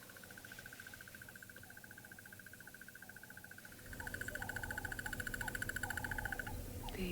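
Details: A male Crested Barbet calling near Buffelshoek Dam on an African safari gives a long, steady, rapid trill of quick click-like ticking notes that grows louder halfway through, with a man talking over it.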